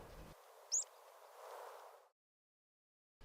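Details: A single short, high, sharp call from a Rock Pipit, a UK-resident bird of rocky coasts and cliffs. It is strong, assured and almost explosive, never nervous-sounding, often given singly, over a soft background hiss.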